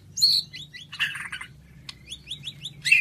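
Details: White-rumped shama singing high, thin rising chirps in quick series, with a brief harsh burst, over a low background hum.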